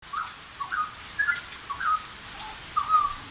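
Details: Caged straw-headed bulbul singing actively: short, rich whistled phrases around the low-middle range, each a quick warbling flourish, separated by brief pauses, five or six bursts over a few seconds against faint background hiss.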